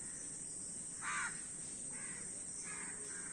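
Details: Crows among many: one loud, harsh caw stands out, followed by two fainter, more distant caws against a constant background hiss.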